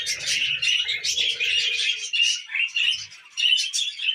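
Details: Tame budgerigars at millet: a steady stream of warbled chirps and scratchy chatter from several birds, with brief pauses and faint background rustling.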